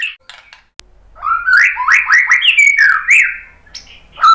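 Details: White-rumped shama song to coax another bird into singing: loud rich warbled phrases of swooping and rising notes, varied and melodic, with a few high sharp accents.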